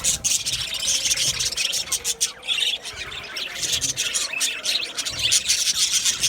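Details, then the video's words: Australian budgerigars in an aviary colony, many birds calling at once: dense, continuous high-pitched chirping and scratchy warbling with overlapping squawks, swelling in short bursts without pause across the whole stretch. "Budgies chirping sounds"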